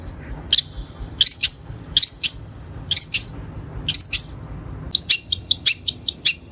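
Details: Long-tailed shrike training lure: five pairs of loud harsh high notes at an even pace, then a fast run of quick, thinner chirps in the last second and a half.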